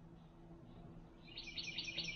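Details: One of three Boat-tailed Grackles calling back and forth while feeding at a backyard feeder gives a burst of harsh, chattering high notes in the last second, after a stretch of low background hum.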